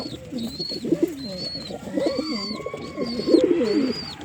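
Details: Pigeons cooing in overlapping low, rolling phrases that rise and fall, with a thin high whistled note repeating about every second above them.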